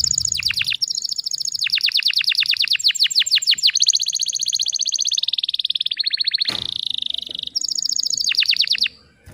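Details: Female canary calling to spur young canaries into song: long runs of fast repeated downswept notes alternating with steady buzzy high trills, loud and nearly continuous for nine seconds.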